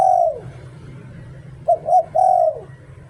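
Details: A falling coo ends a phrase, then after a pause a decoy spotted dove delivers its full "liu tan" song: two short low coos and a long drawn coo dropping in pitch.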